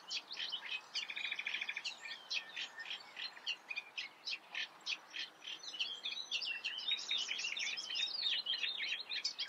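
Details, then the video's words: A Eurasian reed warbler (Acrocephalus scirpaceus) in the Eifel sings a long, steady, chattering stream of grating and churring notes, each phrase repeated two or three times at a quick, even pace. "Teichrohrsänger (Acrocephalus scirpaceus), Eurasian reed warbler"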